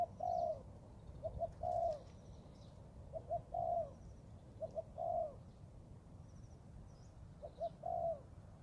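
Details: Cooing of a young Thai spotted dove training in the forest, six mellow phrases, each one or two quick notes leading into a drawn-out coo, spaced about every one and a half seconds; faint thin chirps from other birds above.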